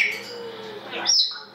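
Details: Female grey parrot speaking the Russian word 'носик' in reply to her owner, who talks with her and praises her as clever; a short voice-like utterance with bright harmonic tones around the upper range and a sharp rising note near the end.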